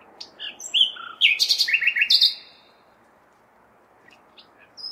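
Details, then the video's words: Nightingale song in May darkness amid constant city background noise: a long phrase of varied whistles sliding into loud rapid repeated notes, then quiet with a few soft chips and a high note at the end. "Śpiew słowika (nightingale)"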